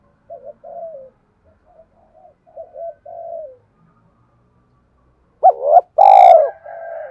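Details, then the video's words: Soft, repeated spotted dove coos build for several seconds before a loud, slightly distorted phrase of a short wavering note and a long coo, a song used to stimulate decoy birds into cooing. "Tiếng chim cu gáy thúc cực đỉnh dùng kích bổi mở lên là gáy 100%"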